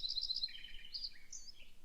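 Lincoln's Sparrow song: a quick run of high, sweet chips that slides into lower, bubbling trilled phrases and ends on a bright high note, over faint background hiss.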